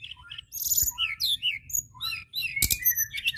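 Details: White-browed shortwing singing vigorously, played to provoke and stimulate untrained birds into singing; a rapid jumble of high, thin whistled and slurred notes, some rising, some falling, with a sharp click near the end and faint low hum beneath.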